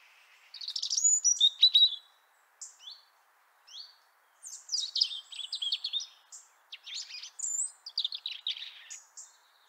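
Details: European robin recorded in Liepāja, Latvia, in January 2023, singing loud, clear phrases of high sweeping whistles, quick downslurs and sparkling trills, bursts spaced by brief pauses.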